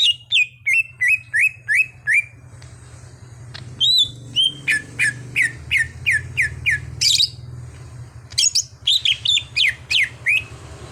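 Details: Untrained captive green leafbird, trained toward frequent singing, pours out quick repeated chirps about three per second, a higher whistled slur, then more rapid chirp series with low steady hum behind.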